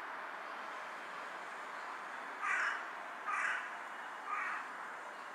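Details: After a quiet stretch of hiss, three loud, raspy caws follow at roughly one-second intervals from a carrion crow perched on a power line, bowing as it calls.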